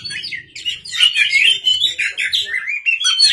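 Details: Oriental magpie-robin in full, vigorous song at night, a rapid run of varied whistled and scratchy notes, sliding up and down without pause.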